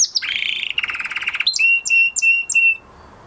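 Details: Canary singing after the moult: rolling buzzy trills at first, then four clear, level whistled notes evenly spaced, each with a sharp click-like onset.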